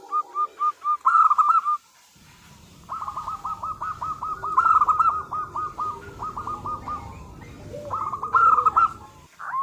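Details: Calling female zebra dove of local stock, used to lure a male: quick trills of short downward-hooked coo notes in long strings, a few loud accented bursts, with low background rumble through most of it.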